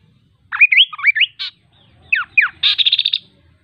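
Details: Melodious kaso kaso bird: twisting rising whistles and a harsh buzz, then two sharp descending slurs and a rapid rattled series of about eight buzzy notes.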